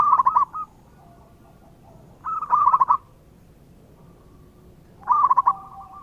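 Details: Local zebra dove singing steadily, used as a lure: three short phrases spaced about two and a half seconds apart, each a tight cluster of quick, staccato coos with a brief softer tail.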